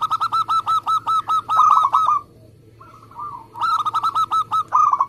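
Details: Zebra dove of a local strain, kept for contests and played to draw other doves into song: a rapid run of crisp, bubbling coos for two seconds, a brief pause with a faint soft note, then another quick burst of rolling coos.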